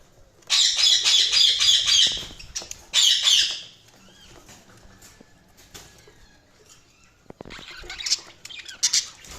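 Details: Budgerigar chirping in two quick bursts of rapid, buzzy, pulsed chatter, one long and one short, followed by near silence with faint clicks, then a final softer scratchy burst.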